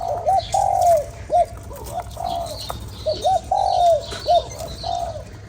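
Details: Spotted dove coos meant to stir up a lure bird. Mellow, hollow phrases of short rising notes and a longer falling coo repeat steadily, with faint high chirping in the distance.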